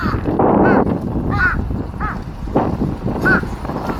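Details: Crows fighting while feeding on 13 March 2026 give a few harsh, arched caws spaced about half a second apart over a rumbling, windy background.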